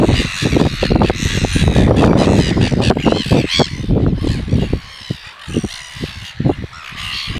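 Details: A pair of red-billed gulls mating at Pukekura/Taiaroa Head, Otago Peninsula, male on the female's back; harsh, rapid, overlapping squawks, about two a second, easing off midway, over a deep rumble of wind or surf.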